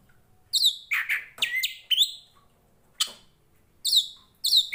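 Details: Oriental magpie-robin of the Tretes poci type, a fighter bird whose voice trains rival birds: sharp, separate high notes and short whistled slurs spaced by brief pauses, with a longer silence midway.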